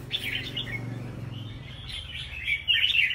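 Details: Crested red-whiskered bulbul singing in a caged song competition: bright, warbled chirps around two to four kilohertz in quick bursts, with a low hum and background chatter underneath.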